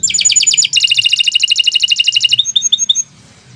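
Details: Canary in long, continuous song: a loud, fast trill of sharp metallic notes repeated steadily for over two seconds, shifting in pitch midway, then a few slurred whistled notes before stopping; faint low hum behind.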